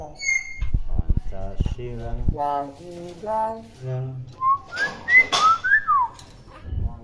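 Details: Indonesian tame common hill myna imitating human voices and other sounds it hears: low knocks, several speech-like phrases, then a quick run of sharp rising and falling whistled chirps.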